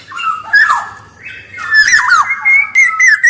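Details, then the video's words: Black-naped oriole lure and tutor recording: mellow whistles and a rough nasal squawk lead into a steady run of bright, slightly wavering whistled notes. "SUARA KEPODANG EMAS GACOR || SUARA PANCINGAN DAN MASTERAN KEPODANG"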